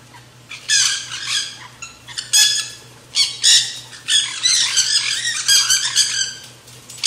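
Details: Nanday conures feeding at a backyard feeder; raspy, shrieking calls in irregular clusters, thickening into a run of overlapping squawks toward the end, over a soft continuous low hum.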